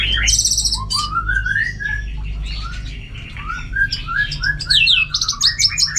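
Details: Orange-headed thrush from Singaraja, North Bali, singing energetically during home training for contests. Lower rising whistled slurs climb stepwise, mixed with high rapid chattering notes above, over a continuous low hum.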